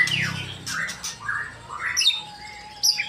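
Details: Short burst from a male white-rumped shama in Indonesia: a few slurred whistles and a harsh squawky note, then high thin pips and a sustained low tone in the background.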